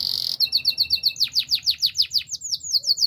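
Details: Canary giving a short high buzzy roll, then a steady run of sharp, descending whistled notes about five per second, ending in higher swooping notes.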